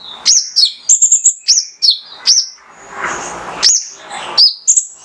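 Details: Lively male mangrove whistler song meant to provoke other birds: high whistled trills and down-slurred notes in the first half, then a soft hissing noise with a few more scattered whistles.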